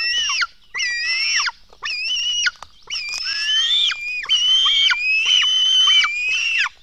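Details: Black stork chicks begging at a Latvian nest during feeding at 04:53 on 24 June 2016: strained, squealing wails with rich harmonics, some rising then dropping sharply, in near-continuous bursts with short gaps.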